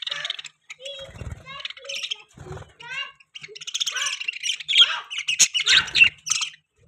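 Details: Budgie chatter that starts with soft, rising whistled chirps and builds into fast, dense, scratchy warbling with a speech-like quality.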